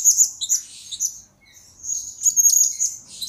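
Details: Blue-crowned hanging parrot, used as a lure and master recording for training birds: very high, thin chirps and sharp squeaky notes in two bursts separated by a brief quiet spell midway, with no other clear sounds.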